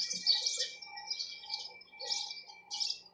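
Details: Sparrow chirping, high twittering bursts repeated every half second or so, a few softer lower chirps between them, with a thin steady tone in the background.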